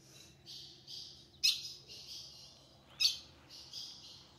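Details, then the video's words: Female ultramarine grosbeak in the sertão of the Caatinga, calling to prompt the male's song: two sharp, piercing chips about a second and a half apart, with softer drawn-out high notes around them. "fêmea de azulão chamando pra esquentar e abrir canto do azulão"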